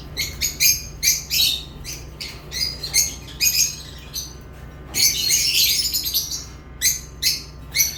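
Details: Lovebirds chirp in short, clipped, high-pitched notes repeated several times a second, then a longer grating squawky burst near the middle, over a constant low hum.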